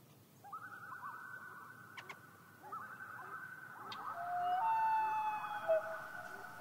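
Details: Overlapping common loon wails at night, several long drawn tones layered and wavering, growing louder toward the end with a couple of sharp clicks in between.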